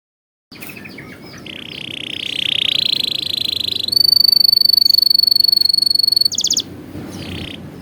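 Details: Canary song used as tutoring for young canaries: after a moment of quiet, a buzzy roll rises in pitch, then a long, steady, high trill, a short burst, and a softer buzzy note over faint background hiss.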